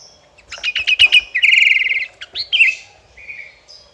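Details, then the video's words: Sooty-headed bulbul, locally kutilang, in lively gacor song meant to provoke rival birds into singing: a burst of clipped rapid chirps, then a loud buzzy rattling trill, followed by short slurred notes and a faint thin high note at the end. "Kicauan Burung Kutilang Gacor Cocok untuk Panggil Lawan biar Ikut Ngoceh"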